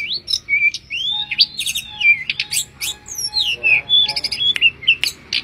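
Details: Mangrove blue flycatcher song of clear, arching whistles and short upward slurs, separated by bursts of fast high ticking notes.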